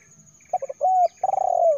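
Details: Lure recording of a spotted dove: brief double note, a steady sustained coo, then a long trilled coo that quickens and falls away at the end; faint low hum beneath.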